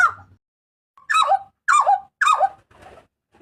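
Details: Papuan butcherbird's loud, piercing cry used to train cage birds: three coarse descending screeches about half a second apart, each sliding down from high to lower pitch, with a faint low hum.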